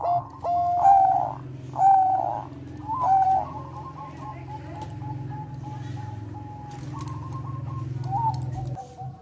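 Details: Melodious Bangkok-type zebra dove song, said to raise breeding desire: three separate burry coo phrases about a second apart, then a long, level, thin note with slight wavers, over constant low hum.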